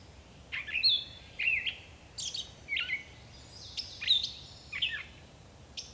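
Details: Song of a gray catbird: separate high whistles, slurred squeaks and harsh buzzy notes, each phrase different from the last, spaced with short gaps, with little background noise.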